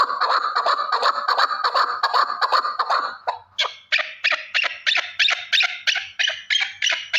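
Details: One male partridge calls in a thick, rapid chatter that breaks after three seconds into separate harsh chuck notes, roughly three per second, bright and broadband.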